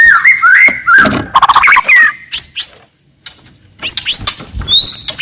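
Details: Loud forest white-rumped shama song, aggressive and aimed at provoking an opponent: rich whistled slurs and rattling notes, a brief silence, then high upslurred whistles and a sustained thin note.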